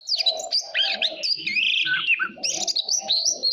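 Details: White-rumped shama song used for voice training and to spur competitive singing: a dense run of high whistles and sweeping slurred notes, with a soft lower murmuring tone beneath throughout.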